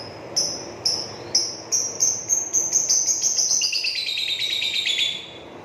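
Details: Lovebird of the ink-blue colour form singing in the ngrekek style: high, sharp chirps spaced about half a second apart that speed up into a long, dense, rattling trill, then slide slightly lower toward the end.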